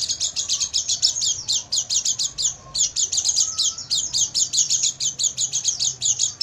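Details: Oriental white-eye night song for training caged birds: a dense, unbroken stream of rapid high chattering notes, about five per second, buzzy and bright, continuing for the whole stretch with only one short break.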